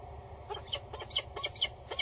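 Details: Female peregrine falcon at a nest box on Axel Tower in the Netherlands, loud and bowing, male nearby, 22 August 2019 mid-morning; harsh broken notes in an uneven series, steady low hum behind.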